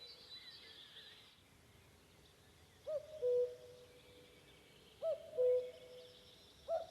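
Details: Wild common cuckoo in forest near Vändra, Pärnumaa, Estonia, on a May evening, with a slightly unusual cuckooing. After a quiet start, two full falling cu-coo phrases about two seconds apart and the start of a third. Soft songbird chatter runs throughout.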